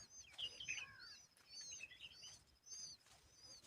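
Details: Asian babbler protecting its young from bugs while cleaning them off; clear high chirping notes, some sliding downward, arrive in quick clusters with brief pauses, over a quiet natural background.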